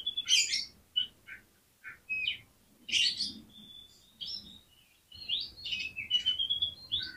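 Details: Oriental magpie-robin song used as a lure for other magpie-robins, quieter and more distant, a mix of chirps, harsh notes and thin whistles over a low background hum.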